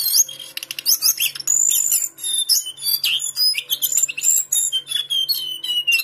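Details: Captive Lesser shortwing from a Pekanbaru collection delivering a fast, varied warble of high, bright whistles and buzzy trills that run almost without pause. A faint low hum sits underneath.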